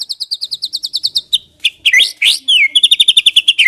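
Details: Clear singing of a Medan-type white-rumped shama, used to prompt other shamas: a fast high trill of repeated notes, a few harsh buzzy notes, then another quick series of high repeated notes.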